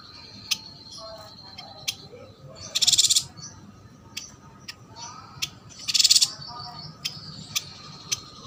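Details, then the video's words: Yuhina from Kalimantan, caged and singing: two intense, buzzy high trills roughly three seconds apart, with single sharp ticks spaced around them and a faint thin high drone throughout. "Burung yuhina gacor"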